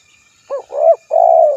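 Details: Spotted dove call: a short hooked note, an arched rolling coo, then a sustained smooth coo, soft and low, against a quiet background.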